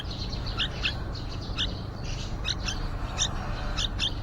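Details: A mother yellow-vented bulbul nesting outside a window gives short, thin, high chirps, single or doubled, about every half second to second, over a steady low rumble, with young in the nest near fledging.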